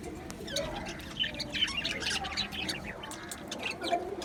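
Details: Australian budgies in an aviary colony, recorded 11 July 2025: scattered short chirps and squawky notes, some with rising and falling sweeps, over a low background hum.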